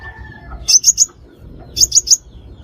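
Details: Sunbird calls for trapping: two quick triplets of sharp, high chips about a second apart, over low background rumble.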